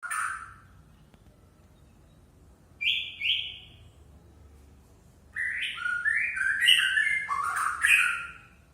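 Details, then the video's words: White-rumped shama, known locally as murai Aceh, singing in bursts: a brief opening phrase, two whistled notes after a pause, then a long varied run of rich warbled and fluty notes. "Murai Aceh"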